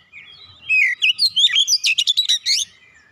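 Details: Magpie-robin used to prompt a silent cage bird to sing: a loud, varied, rich song of sweet whistles, slurred rising and falling notes and quick chattering phrases, mostly high-pitched, about two seconds long, in quiet surroundings.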